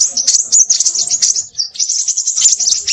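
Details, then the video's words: Crimson sunbird, described as noisy, in a short burst of very high, scratchy twittering, broken by one brief pause before the fast chatter starts again. "burung sepahraja ribut"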